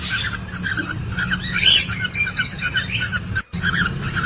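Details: Mating sounds of cockatiels captured by CCTV in a nest box during egg laying: busy chattering chirps and squawky notes, one louder upslurred whistle midway, a brief silent gap, all over a constant low hum.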